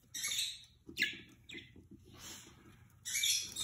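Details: Budgerigar pair mating for the first time: bursts of harsh, scratchy chatter high in pitch, with a short rising chirp near the first second and a loud noisy burst toward the end, separated by quieter gaps; faint low rumble underneath.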